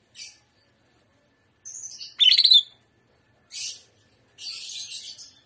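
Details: Greater green leafbird in energetic shrimp-style song: short, very high hissing bursts alternating with a loud, harsh chattering phrase and silences.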